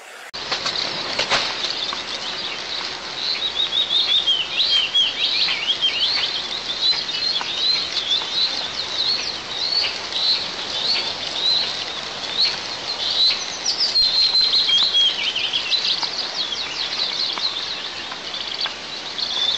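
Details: Eagle at its nest in the oil-producing southeast of Tatarstan, 1 July 2024, as the father brings a live ground squirrel; high thin chirping notes run in loose series throughout, with wing-flapping and rustling near the start.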